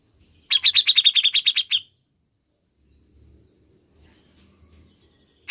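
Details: Grey-cheeked bulbul, played to stimulate caged birds to sing: a fast run of about twelve bright, evenly spaced chirps lasting just over a second, then near silence with faint low rumbling, and a final note at the end.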